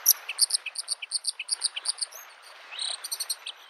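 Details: Bluethroat song at a lake in spring: rapid, evenly repeated high ringing double notes, about four per second, with lower accents, then a short whistled slur and further chirps over waves.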